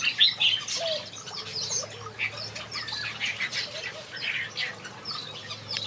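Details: Finches kept in a backyard aviary chatter and sing together, giving quick sharp chirps, short upslurred whistles and scratchy twitters in an unbroken stream, over a steady low background hum.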